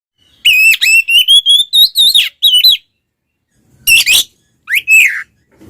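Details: Oriental magpie-robin (kacer) in loud 'ngeplong' fighting style, used to provoke other males into aggression: a run of rapid high whistled notes climbing in pitch, a harsh burst, then a short rising whistle after a pause.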